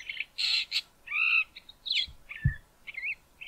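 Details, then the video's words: Male Southern Fiscal singing near Grahamstown, South Africa: a varied run of short whistled and warbled phrases mixed with a few harsh, grating notes, the normal harsh call then softer song; a species known for mimicry. Brief low thump partway. "Southern Fiscal singing"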